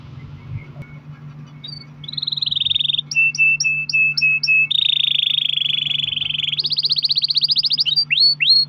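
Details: Canary in long rolling song, used as a lure to set other canaries singing: quiet start, then a steady buzzy trill, clipped repeated chips, a long even roll and a high fast trill ending in sweeping whistles over a low hum.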